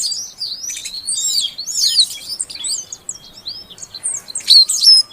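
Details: Oriental magpie-robin female calling to stimulate a silent male: continuous high, varied twittering and sweeping chirps with a soft hiss in the background, ending in a few louder sharp notes.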